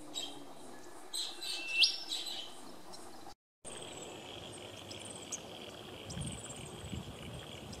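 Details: A Superb Fairy-wren at Wauchope, along the Oxley Highway, gives a few thin, high, rising call notes early on, over a steady insect-like hiss and soft background noise.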